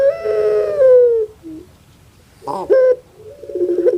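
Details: Pet puter pelung dove from Java, Indonesia, well kept by its owner: a long mournful coo with a downward bend, a brief gap, a sharp abrupt note, then a fast pulsing rolled series like "kuk gerukkk kwokkk".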